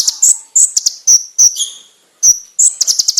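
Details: Konin training master song: sharp, very high clipped notes in uneven groups, some with lower overtones, then a short fast chattering run at the end.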